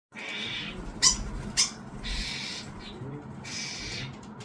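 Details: Starling fledgling being fed by its parents, giving harsh, hissing, raspy begging bursts, four broad noisy calls in under five seconds, with two sharp clicks between the first pair.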